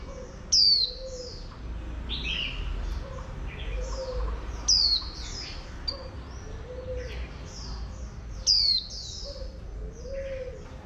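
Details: Oriental white-eye, a female used to excite a wild-caught male into rapid 'líu' singing. Loud, sharp, high whistles fall in pitch about every four seconds over steady soft chirping, with a dove cooing low throughout.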